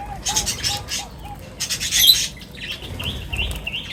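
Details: Birds gathering at feeding time give short high chirps and a run of wavering twitters, with soft repeated low notes underneath.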